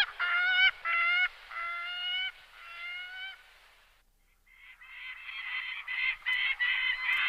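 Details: Gyrfalcon (Falco rusticolus) calling with a few drawn-out, nasal, level notes, each about half a second long, a brief pause, then a harsher, rougher burst of rapid grating calls.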